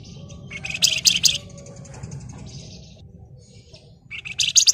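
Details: Flamboyan bird delivering emotional ngebren chatter, meant to provoke other birds to sing: a high buzzy rattle near the start, fainter warbling in between, and another harsh burst at the end over a steady low rumble.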